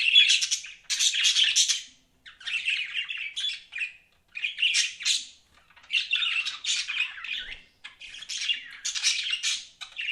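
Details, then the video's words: Pet budgerigar chirping in phrases of a second or two, scratchy twittering and buzzy warbles broken by clear short pauses, in a quiet setting. "BUDGIES CHIRPING SOUND"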